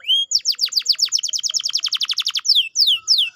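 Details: Canary song to get a silent canary singing again: a brief whistle, then a fast run of about twenty falling notes, closing with slower sweeping whistles.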